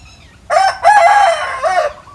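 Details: Rooster crowing in the morning from the top of a mango tree: a brief opening note, a short gap, then a long sustained nasal cry that wavers and ends in a rising-then-falling flourish, about one and a half seconds in all.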